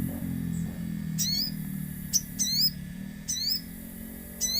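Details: Common iora in active song with nature sounds: several bright, high, curving whistled notes, some paired, repeated about once a second, over a steady low droning hum.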